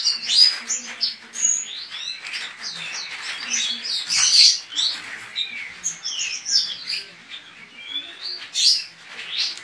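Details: Caged pleci, Javan white-eye, entered in an online singing contest from Pontianak, West Kalimantan; dense, fast torrent of high chirps, buzzy notes and sharp whistles running without break.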